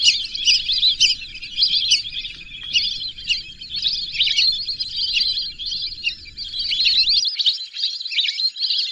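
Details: Unbroken chorus of shrill, wavering whistles from many lesser whistling ducks, steady in loudness throughout, with a faint low background rumble that stops abruptly near the end.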